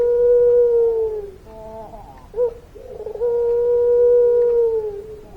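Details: A puter pelung dove sings its long song. A held, level coo slides gently downward, followed by quiet wavering notes and a short blip, then a second long, smooth, gradually falling coo.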